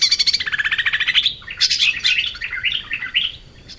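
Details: Lively lesser green leafbird song used to tutor cage birds: a fast even series of pulsed chirps falls slightly in pitch, followed by jumbled bright whistles and twittering notes that tail off.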